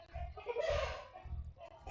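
Chickens cluck in the background behind a man's talking voice.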